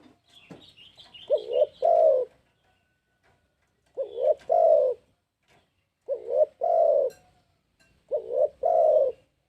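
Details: Spotted dove used as a lure for trapping, calling persistently: a low, hollow cooing phrase of two short rising notes and a longer drawn coo, repeated about every two and a half seconds, with a faint high twittering at the start.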